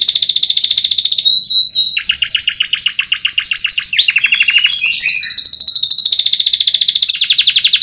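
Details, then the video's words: Canary song played as a master recording for training other birds to sing: rapid trills and rolls at high pitch, shifting between buzzy rattles, pure whistled notes and sweeping phrases, continuous with no other sounds. "MASTERAN KENARI LAGU ENAK"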